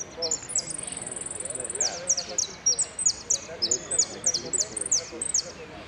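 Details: Saffron finch (jilguero) singing the style called "El Cristalino", with prio, golpe and pitadas phrases: very high, sharp downslurred notes, a rapid steady trill of thin notes near one second, then clipped whistles repeated about twice a second over faint background murmur.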